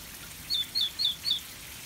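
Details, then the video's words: Red-billed leiothrix, a caged bird in an aviary, singing: four short, clear, high whistled notes, each a quick downward slur, evenly spaced about a quarter second apart, over faint background hiss. "Pekin Robin Singing | Red-billed leiothrix"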